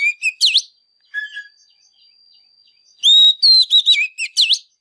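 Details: Fired-up Oriental magpie-robin song, used to get silent birds singing: a few sweet whistles, a long faint high tone with a low chirp, then a burst of loud swooping, rising and falling whistles.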